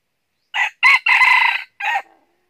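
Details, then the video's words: Red junglefowl crowing during junglefowl trapping with decoy birds in northern Vietnam: a clipped four-part crow, two short bursts, a longer sustained middle note, then a short final note, all ending abruptly, against a silent background. "Bẫy Gà Rừng Gà Mồi Chơi Cánh Dụ Quá Hay"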